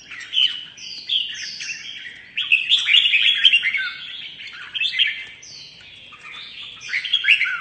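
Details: Mutant red-whiskered bulbul singing competitively, a continuous jumble of fluty whistles, upslurred notes and scratchy trills delivered at a hurried pace.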